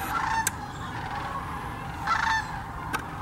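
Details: Sandhill cranes, thousands of which migrate each year to Hiwassee Wildlife Refuge in Birchwood, Tennessee, recorded with a GoPro and a Canon camera. Rolling, trumpeting calls rise in two waves over a constant background murmur, with occasional sharp clicks.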